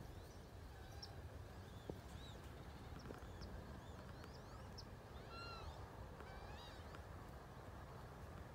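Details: Wood ducks in 2018 giving scattered thin, upslurred and arched whistles, several overlapping near five and a half seconds, against steady broadband background noise.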